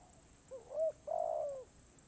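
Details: Spotted dove giving karom pa roi style song, noted as off cue: a single phrase of quick soft coos leading into a long, level, mellow croon that falls slightly at the end, over faint hiss.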